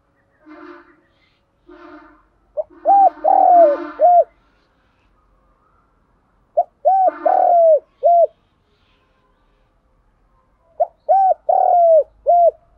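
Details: Spotted doves, male and female, calling to stimulate captive doves to call. Three phrases of four or five mellow, rounded coos each, separated by pauses, with softer rough, buzzy notes before the first phrase.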